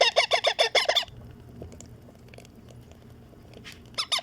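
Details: Green baby Indian ringneck parrot kept as a pet, calling while fed: a fast burst of six harsh, rasping calls within a second, a quiet pause, then two more short calls.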